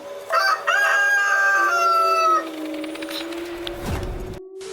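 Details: A rooster crowing at night gives a single loud, hoarse crow of about two seconds in several drawn-out parts over a low, steady droning tone that lingers afterward; night crowing is linked in folk belief to roosters seeing ghosts.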